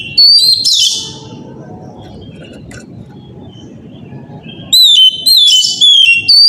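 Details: Oriental magpie-robin's loud morning song used as a lure for other birds: a sharp whistled burst, a long stretch of low rumble, then several quick bursts of clear sliding whistles and scratchy notes.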